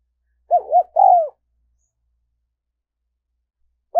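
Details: Spotted dove coo used as a lure for wild doves: a quick double arched note, then a longer descending hoot, followed after a pause by the start of another low coo.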